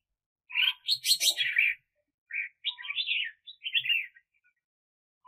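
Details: Decoy red-whiskered bulbul used for trapping wild birds, 2021: a loud burst of rich, slurred warbling notes followed by several shorter chattering phrases separated by brief pauses, in a quiet setting.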